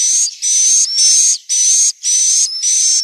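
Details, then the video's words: Swiftlets in Central Sulawesi, Indonesia, giving the inap call: five long harsh hissing bursts, each carrying a level high whistle, separated by short silent breaks. "Suara asli, inap walet abadi"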